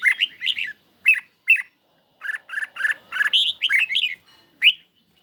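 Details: Caged red-whiskered bulbul sings against a phone on a lightly sunny day. Clipped, squawky chirps come in spaced pairs, then a denser, louder run of rising and falling warbled notes.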